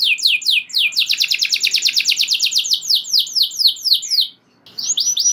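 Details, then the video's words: Canary singing gacor with long rolls, a song meant to provoke other canaries into singing; rapid repeated down-slurred notes run into a fast trill, pause briefly, then resume with clear whistled sweeps. "Kenari Gacor Ngeroll Joss! Bikin Emosi Kenari Lain Langsung Terpancing Ikut Gacor Nembak Panjang"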